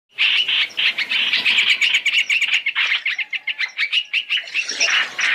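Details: {'caption': 'Black-throated laughingthrush in a three-in-one lure recording for bird trapping. Dense, fast chattering notes sit high and repeat almost nonstop, several each second, with a brief harsher burst near the end.'}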